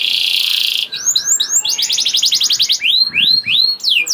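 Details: Lure song of a vigorously singing canary, meant to get other canaries singing: a harsh buzzing note, then a fast rolling trill of rapid repeated notes and several upswept whistled phrases.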